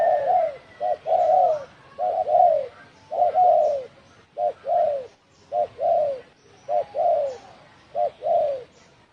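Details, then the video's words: Provoking call of a spotted dove, "đồng thổ sấm" style, from 2020. Some eight coo pairs run steadily, each a quick short note leading into a longer, downward-curving coo, about one pair per second. "Tiếng chim cu gáy đồng thổ sấm kích bổi"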